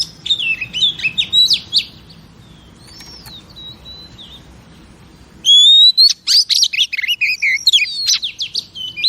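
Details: A female oriental magpie-robin, singing to rouse males, gives busy high warbles and then a faint gliding whistle. A loud steady whistle follows, then a burst of rapid, varied chirps.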